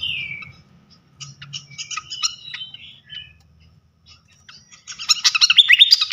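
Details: A flycatcher sings to provoke other flycatchers. A falling whistle opens, scattered high chirps follow, and the clip ends in a dense, loud burst of rapid, twittering notes.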